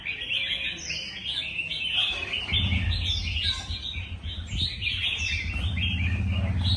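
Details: Red-whiskered bulbuls competing in song, a steady stream of chattering, warbling phrases from several birds, joined midway by a low droning hum beneath the birds.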